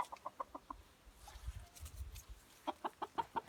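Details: Chicken making odd, funny vocalizations: a rapid series of short, evenly spaced clucks, a lower muffled stretch in the middle, then another quick run of six clucks.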